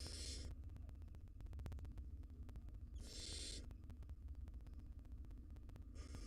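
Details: Wild barn owls in a monitored nest box as the mother feeds her nestlings: three harsh, breathy hissing bursts about three seconds apart, over a steady low hum.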